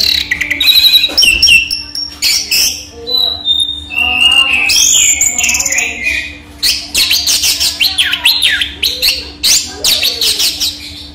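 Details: Orange-headed thrush, local name raja teler, kept caged and singing in the daytime: long sequence of rapid chirps, sweeping whistles and scratchy mimicking notes in quick bursts, with a steady low hum throughout.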